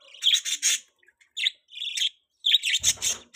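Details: Pet baby budgerigar chirping continuously in buzzy, scratchy high phrases with short pauses, a soft low rumble briefly underneath near the end.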